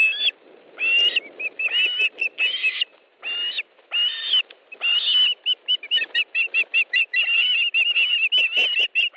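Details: Ospreys calling at a nest in Estonia during a fish delivery, afternoon of 1 August 2013: whistled yelps begin in longer bursts and speed up into a fast, steady run of short piping notes.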